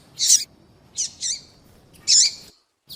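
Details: Female double-collared seedeater calling to attract males and stir up male birds. Three bursts of high, buzzy chirps with a downward tail: one at the start, a doubled note near one second, then a longer loud chirp.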